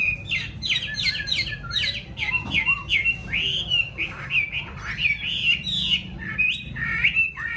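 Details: Yellow-billed Chinese hwamei, a caged bird filmed live at home, sings continuously: dense, varied whistles, trills and upward slurs, with a soft low background rumble.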